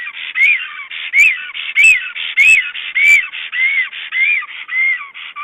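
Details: Black stork at its nest in Estonia during a visit. Steady whistled calls, each arching up then down, come in a regular run and are broken by five crisp clicking sounds.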